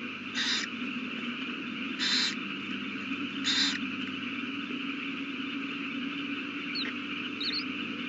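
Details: Owl at its nest beside a newly hatched chick, evening of 18 April 2019; three short, raspy hissing bursts come at irregular intervals of about one and a half seconds, with faint high chirps later and constant low hum.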